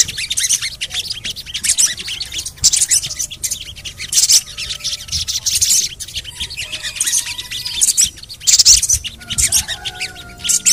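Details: A sogon calls with bursts of high, harsh chirps separated by short gaps. It is used to stimulate other sogon birds to sing. Soft whistled lines from other birds are heard underneath.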